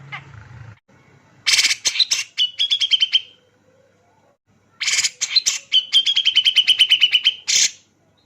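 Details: Grey-cheeked bulbul male (cucak jenggot) singing aggressively and tightly as a lure: harsh raspy blasts then a fast, steady run of repeated sharp notes, the pattern given twice with a short silence between.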